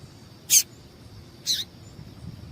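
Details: Female yellow-bellied seedeater call to excite males: two high, thin peeps about one second apart, the second slightly buzzier and lower-ending, over a low quiet hum.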